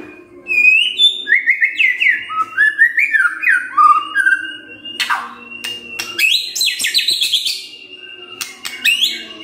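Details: Morning song of a white-rumped shama, played to coax a silent bird into singing: a long run of varied clear whistles stepping up and down, then a sustained high note broken by sharp clicking notes.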